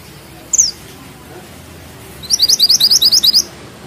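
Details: Mountain bushchat (mantenan gunung) singing actively in a tight rolling style with sharp bursts: one high downslurred whistle, then a rapid even series of about ten bright chipping notes lasting over a second.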